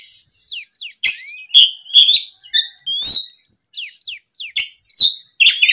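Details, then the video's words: Afternoon singing of an oriental magpie-robin, played to prompt other magpie-robins to reply and sing: a lively string of clear whistled slurs, falling and rising notes, interspersed with harsh chattering bursts, delivered in rapid separate phrases. "SUARA PIKAT BURUNG KACER GACOR NGEPLONG SORE, MEMANCING KACER BAHAN AGAR LEKAS BUNYI NYAUT & GACOR!"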